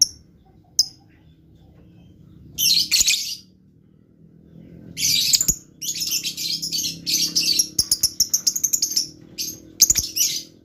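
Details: Blue lovebird chatter: a brief squeaky burst, then a long stream of rapid, scratchy high chirps and shrill clicks packed close together, with quiet gaps and a soft low room hum.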